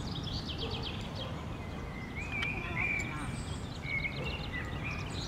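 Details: Rose-ringed parakeets in a large park colony at Villa Ada, Rome: drawn-out tonal screeches and short upslurred squeals from several birds, with a constant low city hum underneath.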